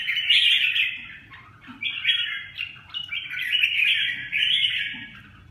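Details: Loud, lively warbling from a red-whiskered bulbul, linked fluty phrases running nearly unbroken for five seconds above a faint low hum.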